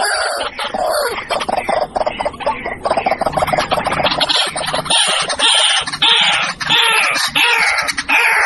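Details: Harsh, grating calls of the white-breasted waterhen pour out in a busy, overlapping stream, with some rising whistled-croak notes and low rumbling noise in the first half.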